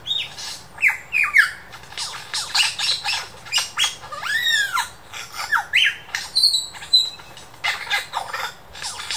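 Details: Superb lyrebird imitating local birds in the Dandenong Ranges Botanic Gardens: a varied medley of whistled slurs, an arching swoop, sharp squawks and high thin whistles, delivered in quick irregular bursts.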